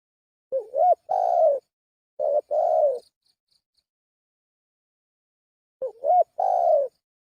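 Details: Lure calling of a spotted dove: three hoarse coo phrases, two close together at the start and one after a long silent gap, each a quick note leading into a sustained, slightly descending coo.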